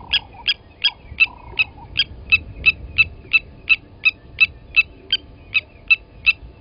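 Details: Rapid series of about nineteen bright metallic tinks from blacksmith lapwings at a South African waterhole, Gowrie dam in the Sabi Sand, the day an adult killed a chick at the nest; quiet background.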